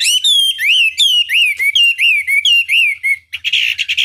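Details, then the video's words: Chinese hwamei in full song, used as a lure to provoke rival birds into answering: loud, rich whistled phrases rising and falling, about two each second, ending in a harsh, scratchy burst. "Pancingan Masteran Wambi"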